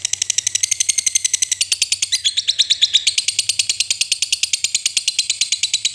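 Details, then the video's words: Long ngekek chatter from a lovebird, played to coax reluctant lovebirds into singing: rapid, evenly spaced shrill chirps pour out without pause for the whole stretch, with a brief change in note shape midway. "Suara Lovebird Ngekek Panjang paling AMPUH buat pancingan labet malas bunyi jadi GACOR"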